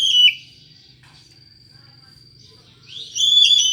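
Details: An Oriental magpie-robin with an odd voice, used as a lure for other magpie-robins, gives a short loud whistle. A long pause follows, then a richer, buzzy burst of notes, with a thin constant tone in the background.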